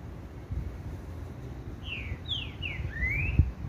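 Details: Green-winged saltator singing: a short run of four clear whistled notes, the first ones sliding down, the last a longer rising-falling whistle, over steady low rumbling background noise with one soft thump.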